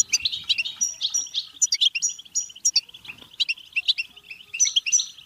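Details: European goldfinch song for prompting singing and mating: busy, twittering stream of metallic pips, buzzy trills and sharp high notes, steady and unbroken.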